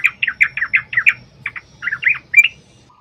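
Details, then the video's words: A yellow-vented bulbul in a fast, chatty lure song to make other bulbuls respond. About eight jerky, bubbly notes follow in quick succession, then a shorter group of warbled notes after a brief gap. "trucukan gacor TARUNG ROPEL PANJANG pancingan trucukan agar bunyi jadikan burung trucuk gacor NYAUT"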